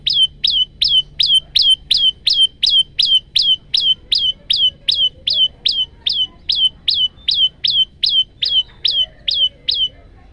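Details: Male olive-backed tailorbird (prenjak lumut) singing 'gacor' variation song, recorded by phone: a long, tireless series of loud, high, sharply down-slurred notes, about 160 a minute, very regular, over quiet background.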